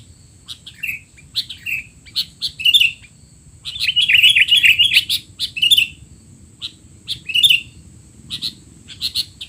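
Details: Sooty-headed bulbul in a rowdy 'teler' chattering bout, used as tutor sound for young birds: bursts of sharp, bright chirps and squeaky slurred notes, densest in the middle, over a steady high hiss and low rumble.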